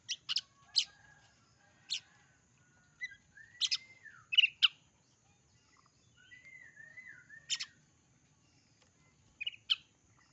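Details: Oriental magpie-robin singing: sharp high chirps scattered through the clip, mixed with short slurred whistled notes and rising and falling phrases, in otherwise quiet surroundings.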